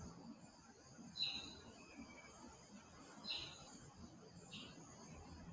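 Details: A Northern or Southern Red Bishop in The Gambia, seen there mostly in the rainy season, gives three brief, high, buzzy notes about every one to two seconds over a steady background hiss and low rumble.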